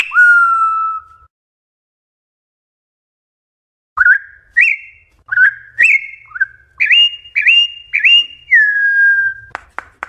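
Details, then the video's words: Campo troupial woodland-style song, used to teach young birds: one long, rich falling whistle, a pause, then a quick run of short, mellow whistled notes, about two a second, rising and dipping in pitch. "CANTO DO CORRUPIÃO - CANTO MATEIRO DO CORRUPIÃO"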